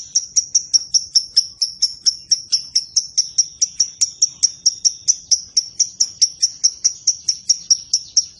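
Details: Lovebird giving a long ngekek, a rapid chattering song: sharp, high, metallic notes repeated evenly at about two per second and a half, steady and unbroken throughout, with a quiet background.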